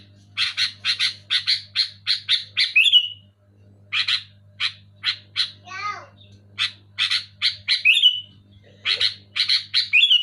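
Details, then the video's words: Loud, clear sooty-headed bulbul meant to stimulate reluctant bulbuls to sing: rows of rasping buzzy notes, each volley closing with a sharp squealing slur, plus a brief wavering warble mid-clip and a faint low hum beneath. "Suara burung kutilang gacor keras jelas"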